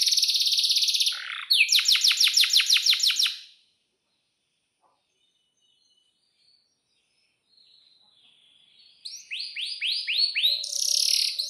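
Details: Canary singing in bursts: a high buzzy trill and a rapid series of sharp downward-swept notes, a long pause of silence, then more quick slurred notes and a shrill trill.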